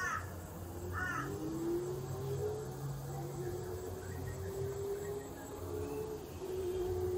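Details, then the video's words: A young Australian magpie in Australia gives two short, harsh, nasal begging calls about a second apart, signalling it's feeding time, then falls quiet over a steady low hum and faint drawn-out tones. "Young Magpie letting me know it's feeding time"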